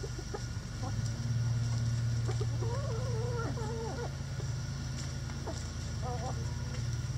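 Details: Rooster crowing in a backyard chicken coop among a flock: one long wavering harmonic call lasting nearly two seconds, looping up and down, with scattered short clucks before and after over a steady low hum.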